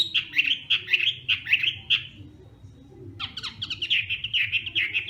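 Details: Morning fighting song of a Hwamei in voice training: quick rhythmic phrases of rich, warbled notes repeated several times, a short quiet pause, then another lively burst of warbling, with a low hum beneath.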